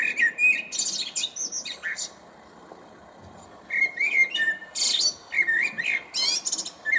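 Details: Recorded Common Blackbird singing, replayed for listening: rich low fluted warbles run into thin, squeaky high twitters, then a silent gap of about a second and a half before another burst of whistled phrases with scratchy high endings.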